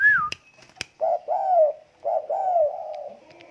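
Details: A tame spotted dove coos softly: two low, hollow phrases, each a brief lead note and a drawn-out curving coo, after an opening high falling whistle and two sharp clicks.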